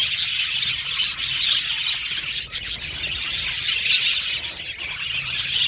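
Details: Several budgies in an aviary cage singing and chirping together, a continuous high-pitched chorus of overlapping tweets and warbles with little pause.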